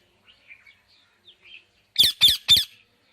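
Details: Soft scattered chatter from a parrot, then three loud, raspy squawks delivered rapidly one after another near the end.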